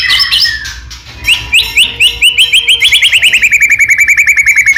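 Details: White-rumped shama song used as a lure to make other shamas sing: a loud series of rapid repeated whistled notes, about three a second, speeding into a steady trill, over a low constant hum.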